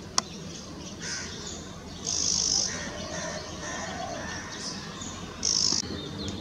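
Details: Blyth's reed warbler at Kadamtala, Howrah, West Bengal, India, in April 2020, giving two harsh, dry churring bursts about three seconds apart, with a few faint ticking notes between them over a soft background hiss.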